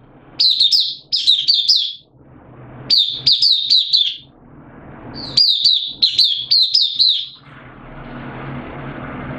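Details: Oriental white-eye in a cage, hobby bird singing on 8 September 2022 with slightly reduced form: groups of four or five quick, high, down-curving chirps repeated in bursts, then fading into low background hiss.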